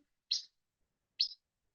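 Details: European pied flycatcher gives two short, full, kiss-like call notes about a second apart, lower and less shrill than related species' calls, in an otherwise quiet room.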